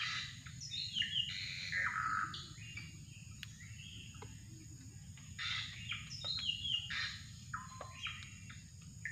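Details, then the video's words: Drongo calling during bird trapping: bursts of high, harsh, scratchy notes mixed with brief whistled slides. The bursts come in irregular clusters against a steady background hum. "mikat burung srigunting"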